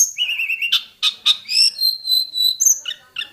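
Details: Hill prinia from the mountain forest in the wild, with a richly varied song: a wavering whistled trill, loud clicking notes, then long high whistles and short chips.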